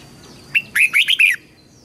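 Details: Red-whiskered bulbul voice-training song for teaching young birds and stimulating freshly trapped birds to sing. A brief opening note leads into a tight run of four bright, warbling, looping whistles.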